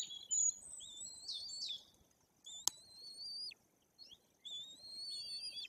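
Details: Young white-tailed eagles almost three weeks old at their nest in Bory Tucholskie, Poland, while parents feed them; high thin whistles in short phrases with gaps, one sharp click midway.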